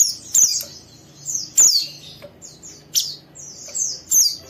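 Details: An oriental white-eye, young and vocal, chatters in rough ngeriwik style to make a rival join in. Sharp high notes slide downward in short phrases, each roughly a second and a half apart.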